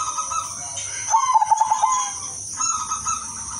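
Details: Zebra dove kept as a lure for other doves, giving one melodious song phrase: a soft note, then a short fast run of pulsed, bubbling coos, followed by quieter notes, with a constant shrill hiss in the background.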